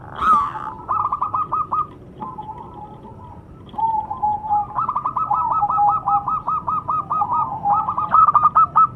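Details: Local zebra dove (perkutut lokal) singing: soft low coos interrupted by bursts of rapid staccato clicking notes, then drawn-out level coos and longer rattling trill sequences, over a steady background hiss.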